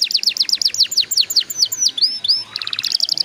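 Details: Canary song aimed at getting young canaries singing fast: a quick series of descending whistled notes, then a few upslurred whistles and a soft rattle, ending in rapid high chips.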